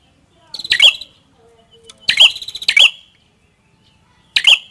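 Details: A prinia, prenjak kepala merah, sings four high bright phrases, each a short buzzy rattle and sharp chip, two close together mid-way, with quiet gaps and a faint low hum.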